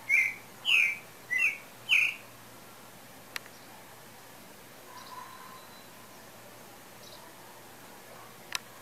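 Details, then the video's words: Pale-breasted thrush in song as breeding season is believed to approach: a quick run of four loud whistled phrases in two seconds, then a long quiet stretch with faint distant chirps and occasional sharp clicks. "Sabiá Branca Cantando Afinado"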